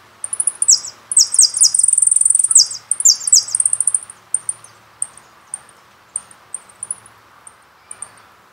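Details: Jilguero singing, from a CD recording: a lively four-second outburst of high trills, sharp descending notes and a sustained buzzy rattle, then tapering into single thin high chips spaced about half a second apart.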